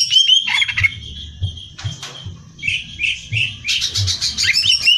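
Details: Greater green leafbird singing for competition training: rich whistled phrases, chattering trills and a quick series of rising notes, delivered rapidly and continuously, low hum behind.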